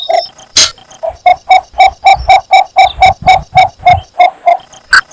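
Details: A Cinnamon bittern calling for a mate gives a steady run of about fifteen short, mid-pitched croaking notes, roughly four a second. A couple of brief clicks interrupt it.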